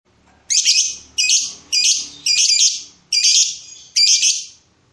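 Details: Lovebird in breeding mood calling to provoke a rival: six harsh, buzzy, high squawks in a row, each about half a second long, spaced roughly every 0.7 seconds, with a clean quiet background.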